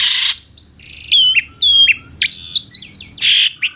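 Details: Asian pied starling singing, recorded for real: a harsh rasping burst, then a series of clear slurred whistles, falling and rising, with short sharp chips, ending in another rasp.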